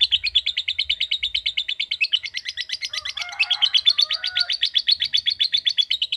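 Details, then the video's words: Caged lovebird giving a long rapid trill ('ngekek panjang') in response to a calling recording: a fast, steady train of high chattering notes running throughout, with a few softer lower chirps midway. "Love Bird Agar Ngekek Panjang"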